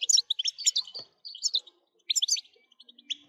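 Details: European goldfinch song used to stimulate other goldfinches into singing: bursts of bright, rapid twittering notes with buzzy trills, broken by short pauses after about one second and again near two seconds.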